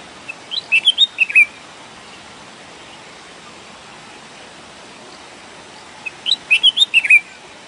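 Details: Red-whiskered bulbul singing, naturally recorded: two short bursts of bright, bubbly whistled notes, the first near the start and the second about five seconds later, each of about six quick rising and falling phrases over a faint steady hiss.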